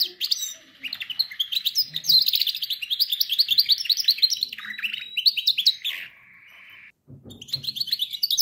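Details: Canary singing to train canaries: a long, energetic series of rapid, regularly pulsed high trills rising and dipping, a steady held lower trill, a brief silence, then renewed fast chirping.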